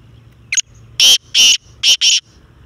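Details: Black francolin, called kala teetar locally, calling: one short thin note, then a harsh, grating three-part phrase of loud rasping notes, the last two closely paired, over faint low background hum.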